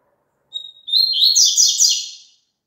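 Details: High double-collared seedeater song used to get a kept bird singing along. A short piping whistle rises into a rich, rapid warble of bright chattering notes that tapers away.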